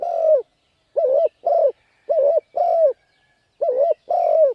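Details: Spotted dove giving urged cooing calls to attract wild birds for decoy training. Low, mellow hooting notes come in short-long pairs, one quavering and one drawn out and falling, with clear pauses between pairs.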